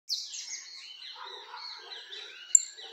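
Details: Peruvian canary giving a short, soft, high song of thin sliding whistles and twittering notes, with one sharp click near the end.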